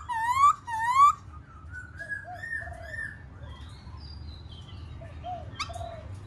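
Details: Black-throated laughingthrush song and display: two loud rising whistled notes open the clip, followed by quieter, softer warbled phrases and scattered faint notes.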